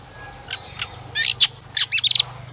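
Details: White-rumped shama hen singing to encourage a male: a few soft isolated chips, then a burst of loud clipped notes and short trills, over a steady low electrical hum.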